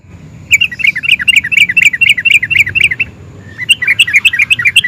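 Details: Nguplik singing of an excited sooty-headed bulbul, meant to provoke other bulbuls: lively, uneven bubbling phrases of rising and falling chirps, in two bursts.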